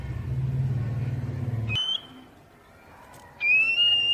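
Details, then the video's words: Oriental magpie-robin (kacer poci) tutor song for stirring captive wild birds to answer: a low engine rumble cuts off, then a short whistle and a long, loud, slightly rising pure whistle near the end. "Masteran kacer bahan biar bunyi nyaut langsung on"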